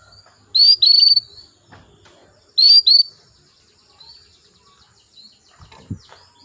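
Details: Female canary calling to males, used to stimulate male canaries to sing: clear high whistled notes in two pairs about two seconds apart, followed by soft faint chirps.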